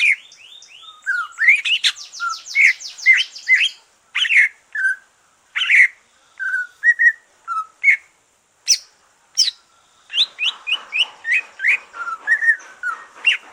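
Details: Green leafbird after moulting, song to stimulate other birds: a long varied sequence of sharp chirps, whistles, slurred notes and brief trills, with short pauses between bursts.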